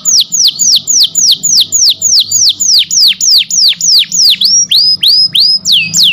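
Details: Canary used as a song master for training: a very regular run of bright, curved whistled notes sweeping down then up, about three per second, loud against a quiet background.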